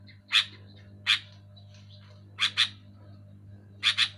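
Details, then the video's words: Sooty-headed bulbul, played to urge silent bulbuls into song: sparse single and paired harsh raspy notes separated by pauses of about a second, over a steady low background hum. "Suara burung kutilang gacor keras jelas"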